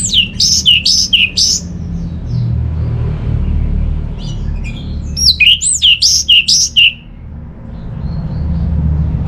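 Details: Orange-headed thrush, kept at home in northern Bali, singing to spur non-singing birds: rapid series of high arched whistles, a pause, then another fast burst of ringing notes, with low background hum.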